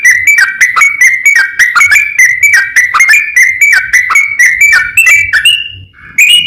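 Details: Lure song of a yellow-vented bulbul meant to trigger rival birds to answer. A continuous run of bright, bouncing, slurred notes comes in quick succession, dips briefly near the end, then picks up again with a higher whistled phrase.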